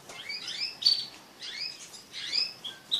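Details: Pet crested canaries mating together give quick high chirps and rising-and-falling twitters in a few short clusters.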